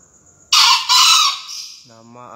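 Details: Green junglefowl, a contest entry, gives a harsh, hissing two-part crow, a loud burst then a longer rasping note, followed by a brief low voice.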